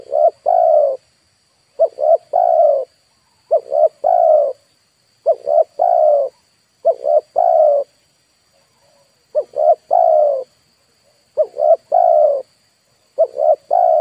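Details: Spotted dove used to lure wild birds, giving a long steady run of three-part coos, two short notes then a drawn-out one, about every one and a half to two seconds, with a faint soft coo in one gap.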